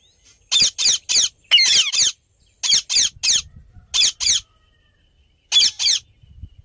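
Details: Happy Indian ringneck parrot giving harsh, high, scratchy squawks in quick paired and triple bursts, about a dozen over several seconds, with short silent gaps between groups.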